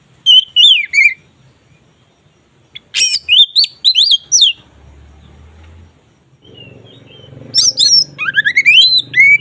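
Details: Oriental magpie-robin singing 'ngeplong' style to boost mating drive: separate bursts of varied whistled notes, some sharply rising, with a low hum in the background toward the end.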